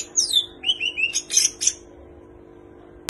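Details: Greater green leafbird in full song, its repertoire filled with imitated phrases of kapas tembak and cililin birds: rapid sliding whistles and sharp high chirps for about two seconds, then quiet with a faint steady hum and a final click.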